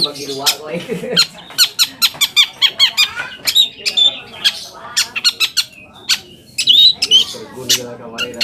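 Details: Long-tailed shrike song used as a lure to provoke other shrikes into answering: loud, harsh, rapid scratchy notes and sharp clicks with brief whistled squeaks, delivered in irregular bursts, with a low murmur at the start.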